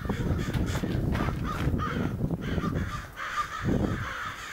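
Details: Crows in a front yard in Flagstaff, February 2013, giving a run of rough, raspy caws early on and another burst near the end, over heavy low rumbling wind or handling noise.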